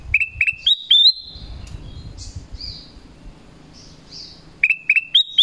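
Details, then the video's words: Black-crested bulbul sounding its call to bring in wild bulbuls: a quick run of clear whistles climbing in pitch, a long pause with soft distant chirps, then the same rising run repeated. "SUARA PANGGILAN KUTILANG EMAS"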